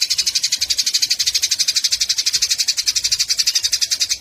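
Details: Eurasian tree sparrows fighting, used as tutor sound for songbirds: dense, unbroken high chattering, rapid harsh chips pulsing steadily throughout.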